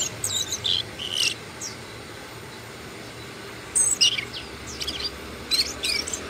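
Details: Asian brown flycatcher calling: thin, very high, short sharp notes in loose clusters, a few near the start and more after a pause of about two seconds, over faint steady background hiss.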